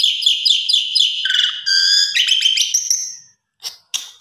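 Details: Javan pied starling lure song to stir other birds into singing: fast repeated buzzy notes, roughly four a second, with lower whistled bars, then two short harsh calls.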